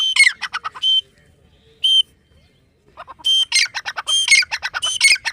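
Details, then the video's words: Grey francolin, or teetar: a few sharp squawky notes and one isolated whistled call, a silent stretch, then a renewed burst of loud, harsh repeated phrases. "Teetar voice | grey francolin dakhni teetar sound | irani teetar ki awaaz"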